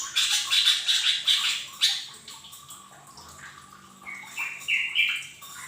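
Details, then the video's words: Training recording of a lesser green leafbird for cage birds: a rapid run of sharp chattering notes, several per second, that fades, then a few separate rising whistled notes at the close, with faint hiss throughout. "Pancingan cucak ijo mini bahan agar cepat bunyi"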